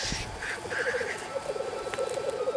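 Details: Black grouse males bubbling at a spring lek on the Pennines, May 2013, competing to mate with watching females: a steady, low, rapid, dove-like rolling warble with fainter, higher rasping notes over it.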